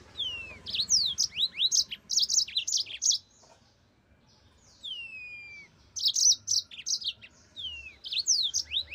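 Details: Two bursts of rapid, chattering yellow-fronted canary song made of curved, whistled high notes, split by a quiet stretch of about three seconds that holds a single falling whistle.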